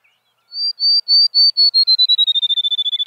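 Field Sparrow song: about twenty clear, high whistled notes that start slow and speed into a quick trill, dropping slightly in pitch like a bouncing ball.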